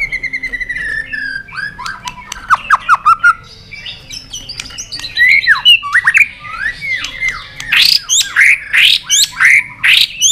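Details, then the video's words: Competition song of a White-rumped shama, a tail-flicking bird hopping on its perch: a falling whistle leads into fast slurred twitters, then loud, rhythmic high bursts repeated about three times a second. "chòe lửa đập đuôi nhấp cầu hót đấu giọng rừng dài"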